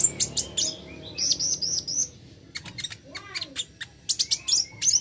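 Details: Plain flowerpecker, intended as singing therapy: busy high-pitched twittering of sharp chips and short rising-falling slurs, in quick clusters with brief gaps, one soft lower whistled note midway.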